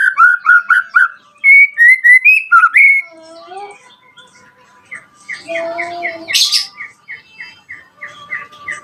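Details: Lure song of a white-rumped shama, played to call rivals and stir other shamas to sing: bright whistled notes in rapid bursts, then a lower warble and a long run of short, evenly repeated whistled chips.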